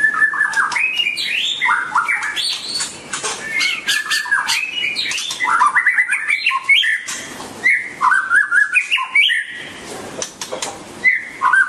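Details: White-rumped shama singing while dancing: a long, fast, varied medley of rich whistles, slurred phrases and harsh squawky notes, delivered almost without pause.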